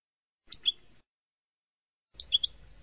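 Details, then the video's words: European goldfinch, Palestinian song style meant for tutoring young birds: two short bursts of sharp high two- and three-note chirps separated by silence. "تغريد حسون لغة فلسطينية رائعة"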